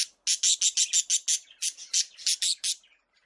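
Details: Budgies in a breeding colony: a quick series of harsh, buzzy chirps in two bursts, about three per second, with a short pause between.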